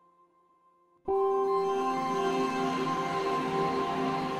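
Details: Soft ambient music with ringing sustained tones begins after a second of near silence, and no animal voice is heard.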